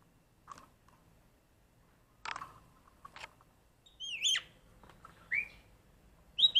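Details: Black-collared starling singing while practising a voice like the red-whiskered bulbul: sparse, brief whistled notes, one sweeping downward and others rising sharply, separated by quiet gaps and scattered dull clicks and knocks.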